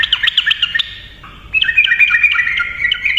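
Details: Yellow-vented bulbul singing a rolling song used as a lure: fast bouncing chirps, a brief lower whistle, then a rapid bright warble.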